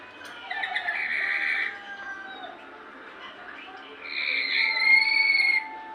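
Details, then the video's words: Lory making a strange sound: two harsh, nasal, harmonic bursts, one early and one after a pause, each lasting about a second and a half, with faint whistled notes between them. "Nuri Bersuara aneh"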